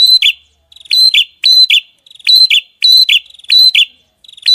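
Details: Small bird song for masteran, a tutor recording, with rapid tembakan bursts: high, sharp double phrases, each a bright note then a falling slur, repeated about every half second with short silent gaps.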